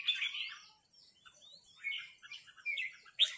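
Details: A red-whiskered bulbul confronts a resident territorial bird with 'rik' calls. A strong chirping phrase is followed by quieter slurred whistles, then a sudden sharp note at the end.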